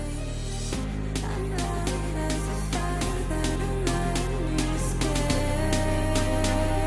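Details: Upbeat instrumental music with plucked guitar and steady bass notes fills the recording, with no animal voices.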